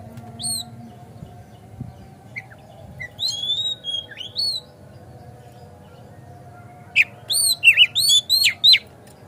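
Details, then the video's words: Kacer (Oriental magpie-robin) lure song to provoke singing and tail display: scattered whistled slurs early, a quiet gap, then a rapid loud burst of sharp, descending whistled notes close together. "Pancingan Kacer Agar Cepat Gacor Ngotot Buka Ekor"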